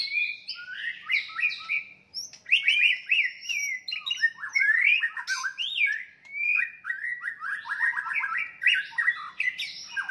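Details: Fighting song of a white-rumped shama, meant to rouse rivals to anger: rapid runs of slurred, downward-sweeping whistled notes in dense bursts, rich and varied, with short pauses.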